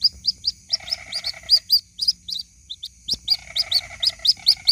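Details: Lure recording of a white-breasted waterhen chick calling its mother: insistent high peeps, roughly four to five per second, over a lower nasal pulsed buzz that starts and stops in stretches.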